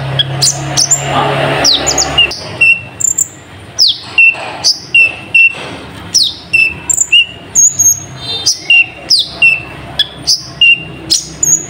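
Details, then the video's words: Kolibri ninja sunbird giving a song filled with nightjar-call mimicry. It is a steady run of piercing, high, falling chips and brief whistled notes, roughly fifty per minute, with a low hum at the start. "Burung Kolibri Ninja Isian Burung Cabak Iblis"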